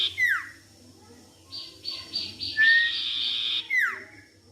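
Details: Sirtu song used as a lure to get a silent bird singing: sharp downward-sweeping whistles framing a sustained buzzy, pulsing trill.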